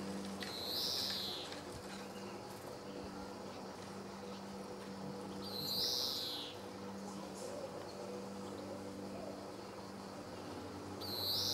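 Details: At Sabunike in Croatia on 26 July 2014, a male greenfinch gives drawn-out nasal wheezes, each slightly descending, spaced about five seconds apart against quiet background hum.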